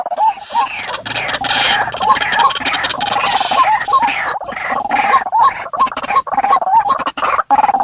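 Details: White-breasted waterhen calls used at night as a lure to draw birds toward traps: a dense, continuous run of harsh, croaking clucks, rapidly repeated and overlapping, with a throaty grating edge throughout.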